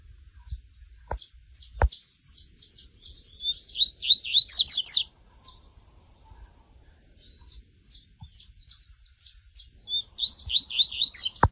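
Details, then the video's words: Tui tui style song of a double-collared seedeater (coleiro): strings of high, dry ticking notes build into rapid slurred whistled runs, twice over, with a few sharp knocks or clicks between phrases. "CANTO MARAVILHOSO DESSE COLEIRO TUI TUI"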